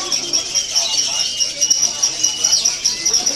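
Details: A lovebird at a bird-contest event pours out one long, unbroken, shrill chattering trill, high and buzzy throughout, over faint background voices.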